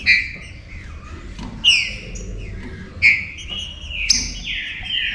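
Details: Saltator song meant to make other saltators lively and active: strong whistled notes falling in pitch, three or four rich phrases in five seconds, with a faint background rumble.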